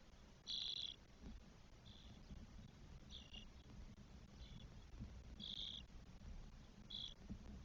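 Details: Spotless starling nest in Spain, four nestlings on day 12, 1 June 2022; short, high, raspy bursts about every second or so over a steady low rumble of background noise.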